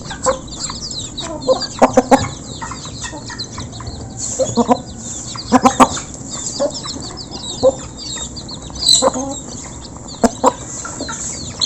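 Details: Up-close recording of a flock of local chickens feeding: irregular sharp clucks and pecking clicks throughout, grouped in quick pairs and triplets, with high chirping from chicks in the background and a faint voice.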